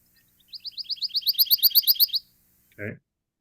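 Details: Recorded Pine Warbler song, described by listeners as sweeter and more musical, played for ear-birding practice: a steady two-second trill of quick, high, repeated slurred notes, then a short burst of human voice at the end.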